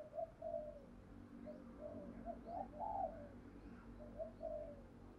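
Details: Distant spotted dove giving soft, descending coos in an irregular series, partly masked by steady low background noise outdoors, in a recording meant to lure wild doves.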